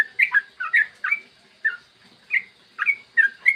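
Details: Yellow-vented bulbul song, morning 'ropel' tutor recording used to make other bulbuls sing: a few bubbly chirped notes in small clusters separated by short silences.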